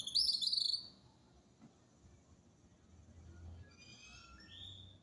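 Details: Bird singing in winter: a bright, high trilled phrase opens, followed by quiet, then softer high warbled notes toward the end, with faint low background rumble.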